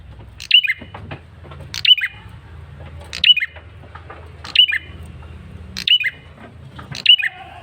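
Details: Insistent lure calling from a male bar-winged prinia: six sharp, high, downslurred bursts, fairly evenly spaced about every 1.3 seconds, over a steady low hum.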